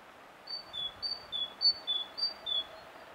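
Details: Great tit song recorded with a Sony HDR-PJ10 camera, with four crisp two-note whistles, high then slightly lower, repeated evenly about every half second against faint background hiss.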